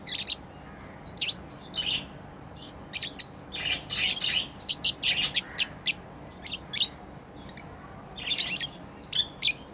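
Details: Playing pet lovebirds give a busy chatter of sharp, high chirps and squeaks, irregularly spaced, with a steady background hiss.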